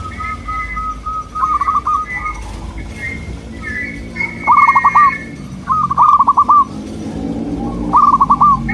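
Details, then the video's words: Local zebra dove song used as a lure to make other birds answer: repeated soft trilled coos, a stuttering burst of rapid notes every second or so, over a steady low hum and faint higher whistles. "Sudah di buktikan dengan suara ini, burung perkutut lokal langsung nyaut jadi rame"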